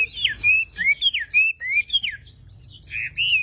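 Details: Song of a Javan pied starling: a string of bright slurred whistles, several sweeping downward, given in quick succession with brief pauses, then softer twittering toward the end.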